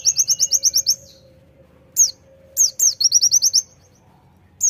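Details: A quick run of bright high chirps, then isolated sharp downward-sweeping notes. A renewed stuttering trill and a final sharp call, with a faint steady low tone in the background.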